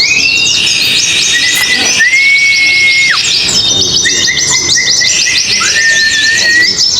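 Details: Competing oriental white-eyes at a singing contest give fast, high, chattering trills mixed with long, clear, level whistles that drop sharply at the end. A crowd of birds sings at once.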